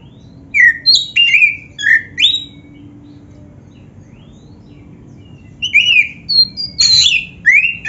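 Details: Black-breasted oriental magpie-robin singing a varied training song: bright slurred whistles and quick chips in a short run, a quiet gap of about three seconds, then another rich sequence of whistles and buzzy notes.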